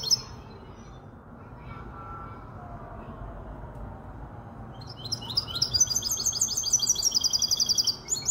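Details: Near-silence with low background hum, then after about five seconds a five-month-old goldfinch hybrid in Casablanca launches into fast, high, trilled twittering that continues to the end.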